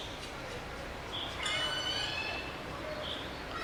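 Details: Black woodpecker chicks give a burst of harsh, buzzy, rasping begging notes while being fed, strongest midway, over a steady background hiss.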